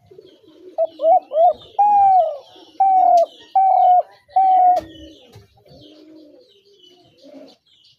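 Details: Spotted dove giving a coo phrase: a pair of brief arched notes, then four drawn-out, even, mellow coos roughly one second apart, with faint low murmuring after the phrase ends.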